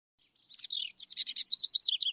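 A House Wren sings a bright, bubbly chatter of fast high notes, starting with a short buzzy burst and running into a rapid tumbling trill.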